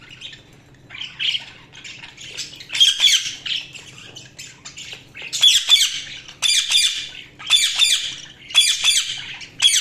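Budgerigars chattering with bursts of harsh, squawky chirps repeated roughly every second or two.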